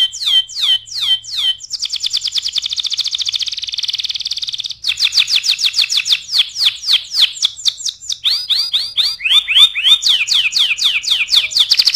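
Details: Canary singing, used as a tutor song for other birds: quick sweeping chirps, then dense rolling trills, returning to loud downslurred chips and rapid rattles, sung continuously and loudly with no background noise.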